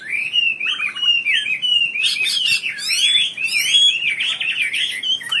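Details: Gacor wambi bird song for songbird tutoring: continuous, fast, chattering warble of whistled notes, interspersed with short buzzy trills and a few brighter high flourishes.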